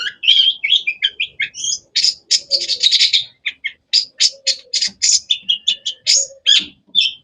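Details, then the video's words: Energetic varied song of a long-tailed shrike, locally cendet: a continuous stream of whistled and buzzy chirps, fast and jumbled at first, then separate bright notes in quick succession. "Bird chirping sounds"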